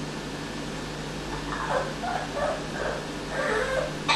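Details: Pet Amazon parrot, a male that picked up an evil laugh during a week in a temporary keeper's care, gives a series of short, harmonic, laugh-like notes in two bursts over a steady low electrical hum indoors.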